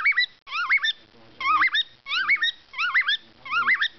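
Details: A male pet cockatiel, being stroked, whistles a bright tune of looping, rising and falling notes in quick repeated phrases on 13 June 2012.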